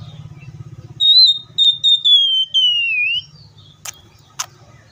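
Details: Oriental magpie-robin delivering one long, clear, high whistled phrase that sags gradually downward in connected segments, followed by two short sharp clicks; faint low rumble before the phrase.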